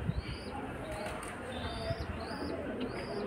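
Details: Hungry pigeon chicks begging and pecking at their mother; drawn-out, high, whining squeals rise then drop, several in a row, with faint low knocks in the background.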